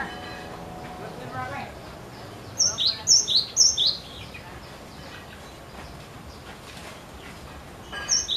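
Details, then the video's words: Energetic cinereous tit song used to coax other birds into singing. A run of four bright, high two-note units, each falling in pitch, then a lone phrase near the end over faint background noise. "Glatik Batu Gacor Ngotot Untuk Pancing Bunyi"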